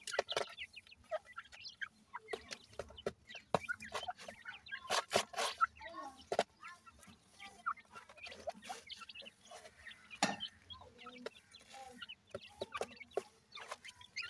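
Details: Partridge and pheasant chicks feeding on desi feed keep up a steady stream of small high peeps and rising chirps, mixed with frequent loud pecking and tapping clicks.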